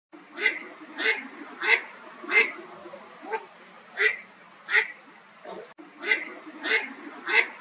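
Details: Eastern spot-billed duck calling while swimming along, possibly a contact call; short harsh quacks repeated roughly every 0.6 seconds in a steady series, with one brief gap midway.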